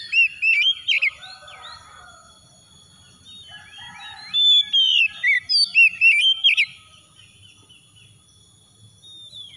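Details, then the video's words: Oriental magpie-robin song played as a lure to prompt other birds to sing: rapid clusters of sweet whistles and twisting slurred notes in two bursts, over a faint low hum and a constant high tone. "PANCINGAN SUPER MEWAH SUARA SANTAI"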